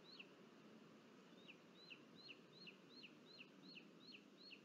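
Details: ['Booted eagle at a nest in Sierra de Guadarrama, Spain, 23 July 2022, as the father delivers food and the chick feeds on its own. A steady series of about ten short, high, down-slurred whistled notes sounds roughly every 0.4 seconds over a low, constant background rumble.']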